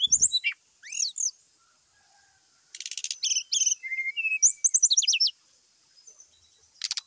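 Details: Brown-chested jungle flycatcher in a morning fighting bout to provoke rivals: sharp downslurred chips, dry rattling bursts, a run of rapid whistled notes and a few low pure whistles, with gaps of near silence between.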